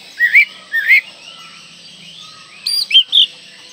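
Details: Song of an Oriental magpie-robin used to prompt young birds to sing: paired rising whistled slurs repeated twice, a pause, then a quick run of three higher chirped and whistled notes, with constant faint hiss behind.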